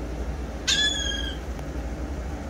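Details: Gulls in the morning at a condo in Ocean City, Maryland, on 17 August 2021; a single drawn-out, nasal mewing call lasting over half a second, slightly falling at the end, above a steady low background rumble.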